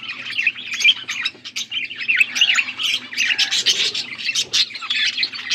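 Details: Blue budgerigars feeding each other, recorded August 13, 2024; dense, continuous chattering warble of high squeaky chirps and rapid buzzy twitters, several birds overlapping without pause, with a faint low hum underneath.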